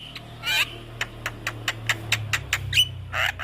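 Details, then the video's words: Javan myna master song for training young birds: sparse dry clicks and ticks with a few harsh squawks and one short whistled note, over a low background hum. "Suara Burung Jalak Kebo Masteran Untuk Pancingan JAlak Kebo Muda"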